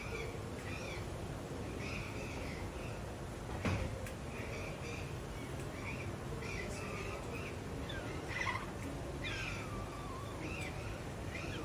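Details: Vinaceous-breasted amazon (Amazona vinacea) giving short, harsh, squawky calls with wavering pitch every second or so, partly buried under a steady low rumble.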